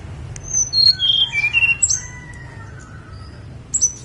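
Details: Mount Songgo Langit snowy-browed flycatcher: a quick tumbling series of piercing high notes dropping in steps, then softer thin whistles trailing off, with a final sharp note near the end.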